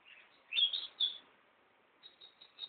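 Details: Pet bird singing at home, recorded unedited on a mobile phone: a couple of bright chirps, then a pause and a short series of thin, high repeated notes.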